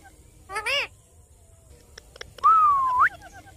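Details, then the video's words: Green ringneck parrot giving a speech-like harmonic phrase, then after a short pause a long, clear whistle that holds level and sweeps sharply upward at the end. Faint clicks and a steady background hum are also heard. "Green Parrot Natural Sounds & Talking"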